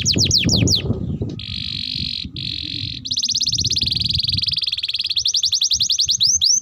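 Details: Canary delivering tutor song for young canaries: quick descending notes, two sustained buzzy rolls separated by a brief gap, then a long rattling trill and final slurred notes.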